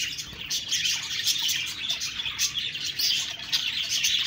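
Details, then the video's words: Dense high twittering of many budgerigars, sharp chirps repeated quickly over a busy warbling background. "Budgies Birds talking sound Birds chirping sounds"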